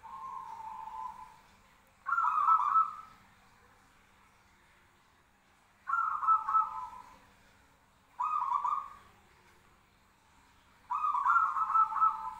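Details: Zebra doves calling back and forth: a softer trill, then four louder rippling trilled coos of about a second each, spaced two to three seconds apart, with a faint low hum beneath.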